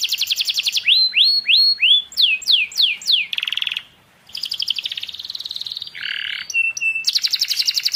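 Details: Loud canary song of fast trills and repeated steep descending whistles, a short break, then buzzy rolls and steady whistled notes.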